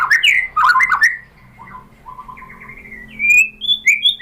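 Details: White-rumped shama lure song: a burst of harsh tangled notes, then softer low warbling and a few clear high whistles rising toward the end.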